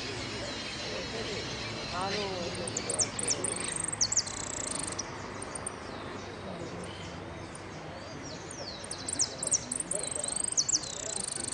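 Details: Competing hooded siskin at a Merlo singing contest final, Amarillo Completo class: bursts of very high, rapid twittering and buzzy trills, with brief slurred whistles, set against constant crowd chatter and background hubbub.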